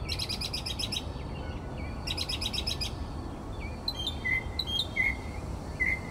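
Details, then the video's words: Northern mockingbird singing at night around 4 am in Texas; two dense buzzy rattling phrases, then sharp chips and repeated downslurred whistles, with low steady background hum. "Mockingbird Singing Outside My Bedroom Window...at 4am!"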